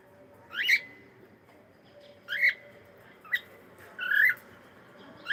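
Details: Pet cockatiel saying hello: five short rising whistled chirps, each about half a second long, spaced one to two seconds apart, over a faint steady hum.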